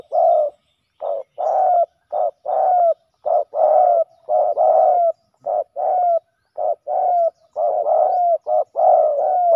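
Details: Male spotted doves fighting, giving a run of low, husky coos, short rolling notes about once a second with slight downward slurs, in an otherwise quiet setting.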